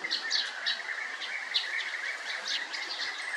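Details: A chorus of European bee-eaters: rapid rolling call notes overlapping without pause, punctuated by brighter high clicks and chirps.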